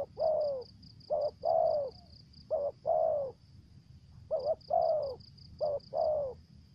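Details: Lure spotted dove giving its 'thổ dế' style calling: a long falling coo opens, then repeated pairs of a quick quavering note and a sustained downslurred coo, about one pair per second, over a pulsing high hum.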